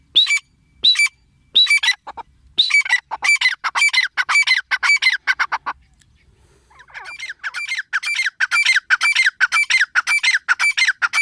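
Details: Female grey francolin (teetar) calling: loud, harsh squawking notes with a descending whistled tone, delivered in rapid repeated bursts of about two per second, a short pause mid-sequence before the series resumes.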